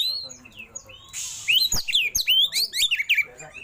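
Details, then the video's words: Kacer, the oriental magpie-robin, delivering its richly filled song: a brief hiss, then a fast tumbling run of loud swooping whistles and harsh chips, closely packed and rising and falling in pitch. "KACER ISIAN MEWAH❗KACER ROLL TEMBAK BUKA EKOR"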